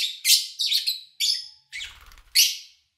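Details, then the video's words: Lovebirds recorded in August 2019: a few loud, harsh high chirps in quick succession, broken midway by a brief low rumbling murmur before one more shrill chirp. "Sounds of Lovebird Chirping"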